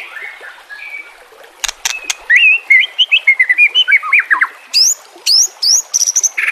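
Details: White-rumped shama filler song used to train captive birds: a few sharp clicks, then rapid warbling whistles, falling strokes and high rising notes.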